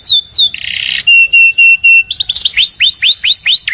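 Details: Canary song in the morning: falling whistles, a loud buzzy rattle, a string of flat steady notes, then quick chips and repeated rising-falling sweeps.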